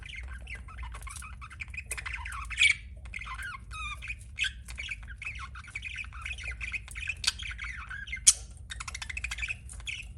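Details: Pet budgerigar chirping: a steady, soft run of scratchy warbled chatter with short rising and falling notes, broken by a few sharper clicks, over a low steady hum.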